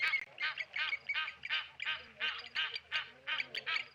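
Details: At a Namibian waterhole in Okaukuejo, blacksmith lapwings attack a tawny eagle with loud, rasping, metallic clinking calls in quick irregular bursts, harsher and broader than clear notes, low background hum.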